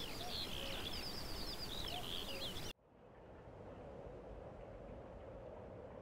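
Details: Common whitethroat singing in Baie d'Audierne, Finistère, Brittany, France, between late April and early May 2022: a brisk, scratchy warble of jumbled high notes for under three seconds, over a steady low rumble of wind or distant traffic.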